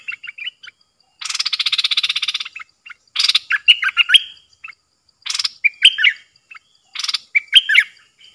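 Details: Captive decoy bulbul calling to wild birds: a long harsh buzzing rattle, then repeated phrases of loud rasps followed by bright warbled chirps, with a faint regular ticking behind.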